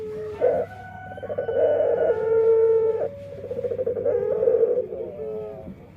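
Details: Dove singing in an unusual voice: a strong, sustained, nasal tone that pulses slightly, breaks off, then resumes as a quicker throbbing note before fading.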